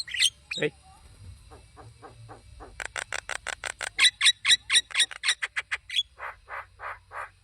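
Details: Wild Javan myna singing vigorously in the open, a series of short harsh notes repeated about twice a second, steady and loud, with a brief human voice at the start.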